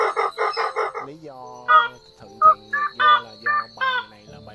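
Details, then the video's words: White-breasted waterhen, male and female, calling the flock, from a Vietnamese night net-lure recording made during the March 2023 migration season. Loud harsh nasal notes repeat irregularly, each a short burst, alongside earlier rapid pulsed notes, with faint background hum. "Tiếng Gà Nước Họng Trắng , Gà Nước Họng Nâu Trống Mái Gọi Bầy Kèm Tiếng Khẹc Khẹc"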